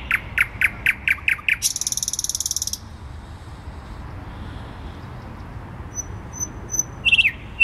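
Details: Song of a thrush nightingale in Warsaw city centre, Poland, 12 May 2020: loud clicking notes repeated about six times, a fast dry rattle lasting about a second, a quiet stretch with faint thin whistles, then a short renewed phrase.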